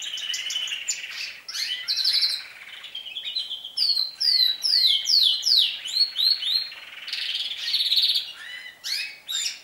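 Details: Canaries singing as their season of song begins, with more frequent and longer trills: dense high rapid trills, rolling warbles and repeated sweeping chirps, almost unbroken throughout.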